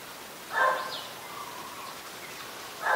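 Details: Red-whiskered bulbul, adult, Ubon Ratchathani, Thailand, 3 January 2021: a brief burst of rough notes, then a thin falling whistle and a soft drawn-out tone, with another burst at the end, over a constant hum of insects.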